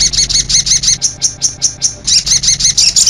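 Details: High, sharp chip notes from a sogok ontong lure and master track that includes konin-style calls. The notes repeat about three times a second in a steady pulsing series, briefly pausing once midway.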